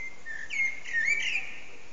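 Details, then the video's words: A common blackbird's evening song at sunset: a mellow, fluting phrase of a few slurred whistles in about a second, with a thin higher twitter at the end, over a soft background hiss. "Blackbird's evening song"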